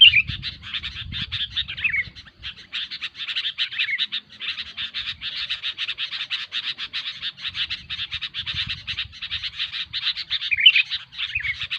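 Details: Noisy Sooty-headed Bulbul sound for luring in bird trapping: long stream of rapid buzzy chatter with a few whistled slurs at the start and end, and faint low rumbling.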